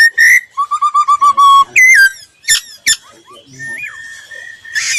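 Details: Voice-training song of a laughingthrush: a bright whistle, a steady series of about ten low piping notes, sharp downslurred chips, then a softer drawn-out whistle.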